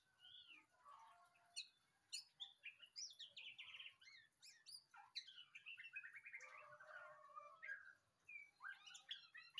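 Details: White-rumped shama song for relaxing over coffee: a rich, varied run of loud whistles, quick rising and falling slurs and clipped chirps, tumbling almost without pause over a quiet background.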